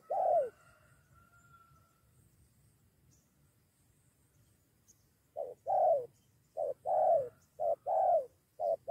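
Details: Spotted dove answering a decoy, ready to fight alongside another bird; a single coo, several seconds of near quiet with a faint thin whistle, then a fresh burst of paired short and long coos.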